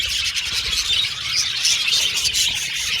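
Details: Happy pet Australian budgies chatter and sing, an unbroken wash of quick, high twitters and warbled whistles from several birds at once.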